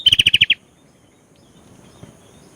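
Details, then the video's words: Sooty-headed bulbul singing energetically: a short, fast series of six bright, clipped whistled notes. Faint background hiss follows. "BURUNG KUTILANG GACOR MUNTAIN ISIAN"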